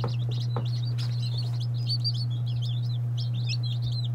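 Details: High chirping peeps from day-old chicks of several breeds, Lavender Orpington, Marans, Silkie, Serama, Legbar and Salmon Faverolles, run in an unbroken busy string, accompanied by a few clicks and a persistent low hum.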